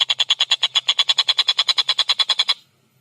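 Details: Collared kingfisher singing actively with a clear voice, fast and tightly packed: a steady run of about twenty harsh, evenly spaced kek notes over two and a half seconds, then silence.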